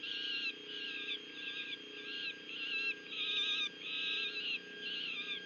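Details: Peregrine falcons at a Union County, New Jersey nest on 6 June 2023 as the adult female brings food to the young: harsh, grating calls in half-second bursts repeated almost without pause, over a steady electronic hum.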